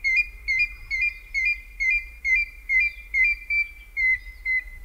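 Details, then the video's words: Piping whistles from an African grey hornbill recorded at Kongelai, Kenya, steady and evenly spaced, about two notes per second, each note short with a slight upward inflection, continuing without pause against quiet low background hum. "African Grey Hornbill Call"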